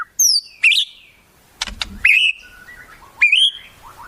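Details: White-rumped shama song with wild-bird fillings: sparse downslurred whistles separated by pauses, a couple of dry clicks, and soft low whistled notes in a quiet background.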